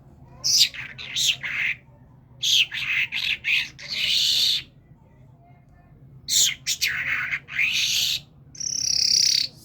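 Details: A Kerman talking myna pours out harsh, broad, speech-like phrases in clusters, with rasping notes and a final sustained high whistle.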